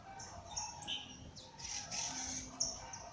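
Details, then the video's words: Birds at daybreak in nature: a short burst of thin, high whistles and rapid twitters from more than one bird, softly overlapping, with a quiet hiss beneath. "pássaros cantando no amanhecer"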